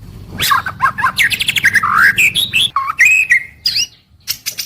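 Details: White-rumped shama kept in a cage, daily song: rapid looping whistles, sweeping rising phrases and a warbled ending, with a low hum in the background.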